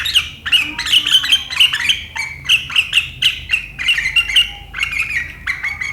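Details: Sooty-headed bulbul delivering sharp riwikan chatter on 7 April 2023, said to provoke rivals into chattering: a steady stream of rapid bubbly notes, roughly three per second, slightly descending in pitch toward the end.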